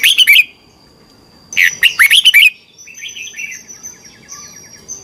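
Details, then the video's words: Competition song of a red-whiskered bulbul, played to train and stimulate birds: two bursts of loud, twisting warbled whistles, followed by softer chatter and a faint buzzy trill. "Luyện chào mào hót sáng. chào mào hót đấu"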